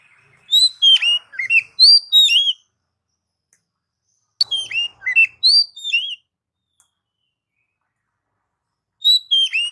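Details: Singing Oriental magpie-robin used to rouse kept birds: three loud bursts of quick, varied whistles, sweeping down-slurs and sharp chirps, each about two seconds long with pauses between.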